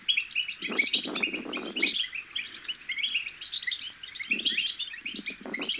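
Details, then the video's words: Young European goldfinch chicks giving a chattering babble used to stir goldfinches into song: bright, high twittering notes pour on steadily, broken by two spells of low, coarse rustling noise. "بتبتة الحسون الأكثر تحفيزا أن لم يغرد الحسون فعلم حسونك انثى او ابكم بتبتات فراخ الحسون الفتاكة"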